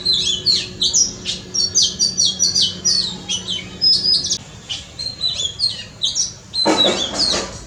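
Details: Oriental magpie-robin singing steadily in a front yard, a rapid medley of sharp whistles, trills and chirps with constant variation; a low hum fades midway and a burst of broad rushing noise enters near the end.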